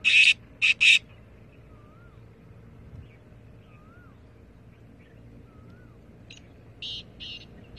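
Black francolin giving a loud burst of three harsh, grating notes, then a softer group near the end; faint rising whistles from another bird between.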